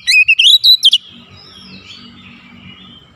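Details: Oriental magpie-robin lure recording for provoking full song and mimicry: one second of rapid, clear whistled notes climbing in pitch, then a faint soft twitter and quiet hum.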